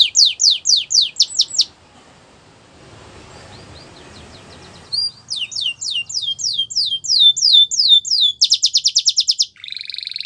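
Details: Canary training song for young birds, connected with Russian and Belgian canaries: repeated high downslurred notes, a quiet gap with soft hiss, then further descending notes, a dense rapid trill and a lower buzzy phrase.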